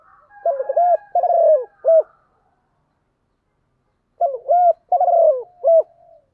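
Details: Spotted dove decoy bird calling to lure others, in the one-ending style; two short cooing phrases of four to five mellow, hooked notes, a burry middle note and a final clipped coo, separated by a two-second pause.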